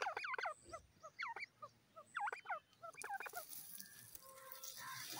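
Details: Black francolin (kala teetar) described as in a happy, playful mood: a string of harsh, rising, harmonic call notes in quick groups over the first three seconds, followed by broad hissing noise.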